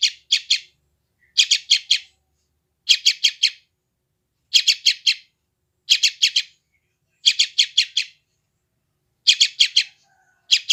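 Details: Sooty-headed bulbul chick from West Java, recorded on an Android phone, giving harsh, high chirps in tight bursts of three or four, the bursts repeated about every one and a half seconds against a silent background.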